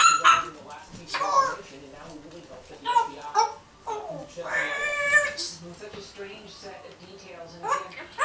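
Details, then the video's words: A young captive African grey parrot, a one-year-old female, chatters in a room, producing voice-like syllables and drawn-out nasal phrases in uneven bursts separated by short pauses. "1 year old African Grey Parrot, Nala, just blabbering"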